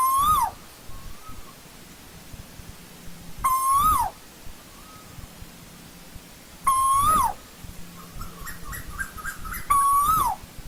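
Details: Asian koel in old-growth forest calling four times, about every three seconds. Each call is a loud clear whistle that holds level, lifts, then falls away. Softer rising notes and short stuttered whistles come between the calls. Quiet background.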